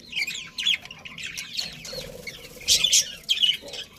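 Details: Happy budgerigars in a colony, heard as overlapping bright, scratchy chirps and short warbled notes in quick bursts, louder clusters near the end, with a faint low hum underneath.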